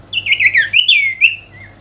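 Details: Sooty-headed bulbul singing energetically to call a rival: a bubbly, warbling phrase of rapid falling and rising notes, then a few clear slurred whistles fading out, with a low steady hum underneath.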